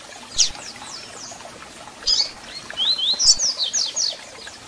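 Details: Double-collared seedeater song with call notes, played to excite and warm up a captive bird: quick high chirps and downward-sweeping buzzy notes in short bursts, then a denser run of repeated sweeping notes near the end.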